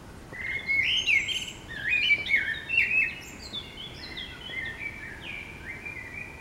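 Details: Morning song of a common blackbird in town: rich, fluty warbled phrases rising and falling, loud in the first half, then fading into thin high twittering notes, with steady background hum.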